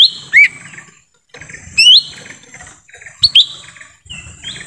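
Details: Lesser green leafbird recorded in forest as a lure for wild birds: three short groups of loud whistled notes, rising sweeps followed by falling slurs, about one and a half seconds apart, with soft background chirps.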